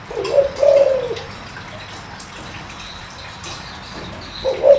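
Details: Spotted dove with a deep voice, played to draw in wild doves quickly. A low, mellow hoot, then a drawn-out coo, and a further phrase beginning just before the end over steady faint hiss.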